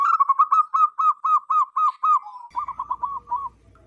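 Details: Wild local zebra dove with a big, loud voice, used as a lure for wild zebra doves: a quick run of about a dozen ringing, arched coos, steady at first, then a short gap and a softer burst of five.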